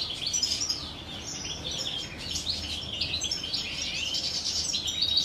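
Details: Courting common chaffinches kept in captivity, 2023, where two hens share a single male; a steady stream of thin, high twitters and chirps continues throughout with brief louder bursts.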